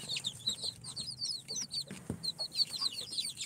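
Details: Four-day-old chicks hatched in an incubator, Sultan, Golden Sebright, Cochin and booted breeds together, give a busy chorus of shrill, short descending peeps in quick bursts, nearly without pause, over light scratching.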